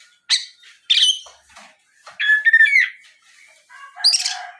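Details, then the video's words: Oriental magpie-robin lure song to get other magpie-robins singing: sharp buzzy notes, then a rich rattling phrase with a descending whistle, ending in harsh layered chatter. "SUARA PIKAT BURUNG KACER GACOR NGEPLONG"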